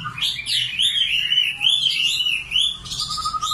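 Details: Nightingale song of looping, sliding whistled phrases that run together without pause over a faint low background hum.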